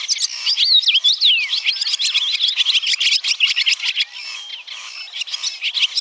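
A Barn Swallow sings a fast, run-on twitter of high chirps, squeaky notes and brief dry rattles, bubbling along almost without pause.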